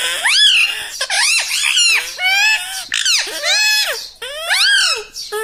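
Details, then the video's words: Pet talking parrot kept in a small room, trained to say 'mummy' and 'mitthu', delivers a nearly continuous run of loud, warbling, speech-like phrases, each rising then falling, about one per second. "Talking parrot - Mitthu mitthu - Mummy Bolne Wala Tota"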